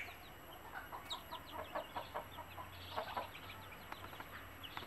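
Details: Mother hen in Kerala clucking to call her chicks to food, scratching and dropping bits to show them it is good to eat; rapid short clucks about once a second with higher chick peeps over steady low hum.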